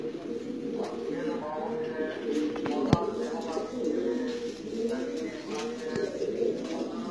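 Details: Lahore pigeon, known in Bengali as shiraji kobutor, giving low rolling coos in repeated phrases over a steady background hum.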